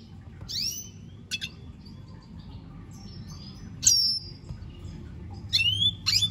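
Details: Scattered single Red siskin notes: clear rising and falling whistled calls and short sharp chips spaced by pauses, with faint background hiss.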